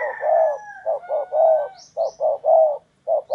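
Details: Spotted dove decoy calling for wild doves, a rapid series of soft rounded coos, long hoot then clusters of short and drawn notes, with a couple of thin high bird squeaks.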